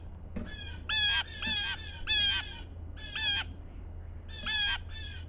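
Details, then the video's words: Two blue jay brothers scold in the snow of a winter storm, each harsh, grating jeer repeated in uneven groups, loud against soft storm hush. "The #blue jay brothers scold in the snow"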